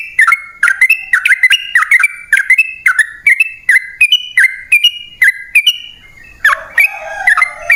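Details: Sooty-headed bulbul song used as a lure for wild birds: short bubbly whistled phrases, each dipping and rising, repeated about twice per second, with a harsher scratchy phrase near the end.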